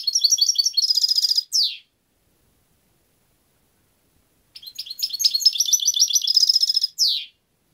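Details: Two bursts of European goldfinch song separated by a pause of nearly three seconds; each is a quick, liquid twittering run into a dense trill, closed by a descending buzzy slur.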